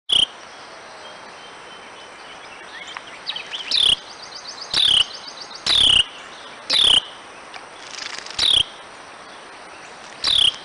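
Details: A chatty wren gives short, harsh, scolding calls, each a loud burst with a quick falling note, about seven across the stretch at uneven gaps of roughly one to two seconds, over a steady high hiss.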